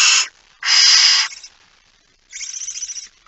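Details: Barn owl at a nest in the Netherlands, recorded 19 September 2019 at 05:28 during feeding: long harsh hissing screeches, two loud bursts followed by a softer pulsing rasp.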